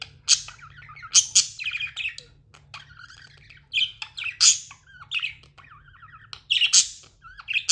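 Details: Tame budgerigars chirping indoors: sharp broadband squawks scattered among warbling, buzzy chatter, with wavering notes and trills between louder bursts, and a steady low hum underneath.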